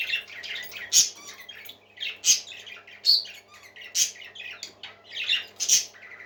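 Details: Several pet parakeets singing together indoors: dense, scratchy high chatter with bright squawks at about one-second intervals, mixed with quick warbles and chirps and a faint steady hum underneath.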